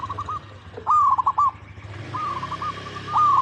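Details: Zebra dove song meant to draw other zebra doves into singing: short bursts of rapid, clipped cooing notes over a steady low hum.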